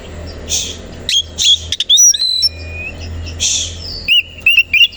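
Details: Oriental magpie-robin of the koci type singing in the morning while spreading its tail, used as a lure to provoke rival birds to fight. Clear whistled notes, short sliding whistles and brief trills, broken by dry broadband rustles.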